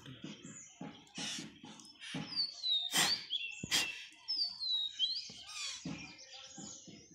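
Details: Baby parrot on its first day of hand feeding gives rhythmic, harsh, pulsed begging notes in quick bursts, about three a second. Thin whistled sweeps from other birds sound in the background, and brief human speech is heard nearby.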